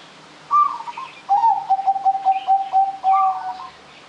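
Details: Lively zebra dove song used as a lure: a short high coo, a pause, then a rising note leading into a rapid even series of soft lower coos, ending with another high coo; distant bird chirps in background.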